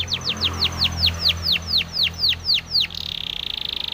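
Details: Canary training song by a Spanish Timbrado canary: about fourteen bright, drooping whistled notes at a steady pace, then a sudden switch to a very fast buzzing trill.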